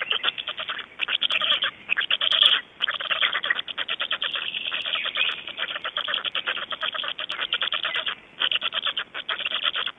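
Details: Black storks in Estonia, 26 May 2012 at 05:15, give a dense, rattling clatter of rapid dry strokes in bursts of several seconds, with brief pauses between them.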